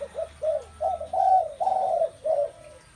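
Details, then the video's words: Spotted dove coos, deep and hollow, a few short notes followed by longer drawn-out ones in a rhythmic sequence. "Một không gian đầy ấp tiếng chim cu gáy"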